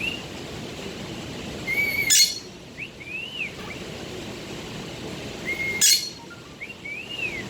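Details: Budgerigar singing and talking: thin arched whistles repeated between two loud, sharp, buzzy bursts about four seconds apart, with constant low hiss behind.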